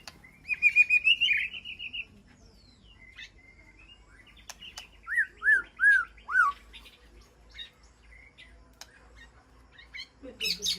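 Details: Aviary-kept White-rumped shama communicating with its flock: a quick run of rich whistled notes at the start, then four clear down-slurred whistles repeated about every half second, with faint clicks between.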